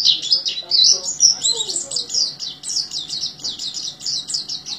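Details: Oriental white-eye singing in the "gacor teler" style, said to sing teler like an orange-headed thrush: rapid, dense high chattering twitters and slurred whistles, with a faint lower warble underneath partway through.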